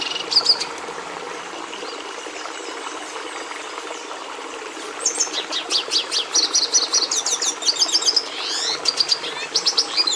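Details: Red siskin singing: after about five seconds of near quiet with only a brief opening chirp, a fast run of high twittering notes, sharp clicks and buzzy trills, over a steady low background hum.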